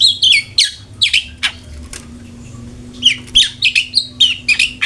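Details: Long-tailed shrike, a lure to make a kept bird sing: bursts of buzzy, chattering twitters, a pause, then another rapid chattering run, with a faint steady hum behind.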